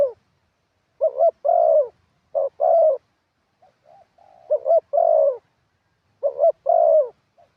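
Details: Thai ground-decoy spotted dove in full wild-style song: a brisk two-part stutter runs into a drawn-out, slightly falling coo, the phrase coming about every two seconds with faint low notes between.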